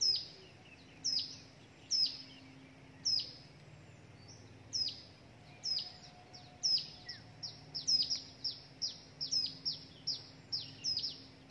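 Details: Begging of a hill prinia nestling as a parent delivers a gecko and grasshopper as food. High, thin chirps that drop in pitch, spaced about a second apart at first, then quicker and denser toward the end, with low ambient hum.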